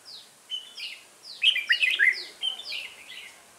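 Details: Brisk chirping song from a red-whiskered bulbul during trapping with a decoy, a run of quick downslurred notes and bubbly chatter rising to a louder middle section.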